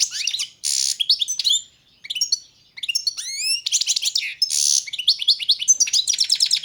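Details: Balkan goldfinch, subspecies carduelis balcanica, singing for the 2022 World Championship in Goldfinch Song: rapid twitters and upward-sweeping whistles, broken by harsh buzzy notes and a brief pause, then a dense chattering run.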